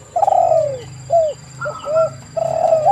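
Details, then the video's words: Spotted doves recorded to provoke other doves into calling: a rattled, descending coo, then short hooked notes and a longer throaty phrase, with a low hum running underneath. "TEKUKUR GACOR suara merdu"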